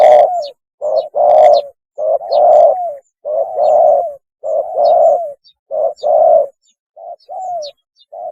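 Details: Lure recording of a spotted dove mating call: a continuous run of short coos alternating with longer, mellow, slightly falling hoots, roughly four phrases every three seconds, with faint high chirps from another bird.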